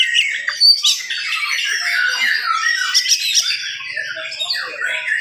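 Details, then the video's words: An oriental magpie-robin sings hard in the morning, its rapid song meant to excite other magpie-robins: a dense, rambling jumble of squeaky, scratchy and whistled phrases. "SUARA KACER GACOR DIPAGI HARI SPEED RAPAT cocok untuk naikin emosi kacer yang dengar"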